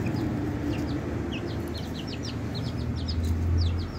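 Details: Group of 20-day-old chicks peeping constantly: many short, high, slurred notes tumbling over one another several times a second, over a strong low rumbling hum.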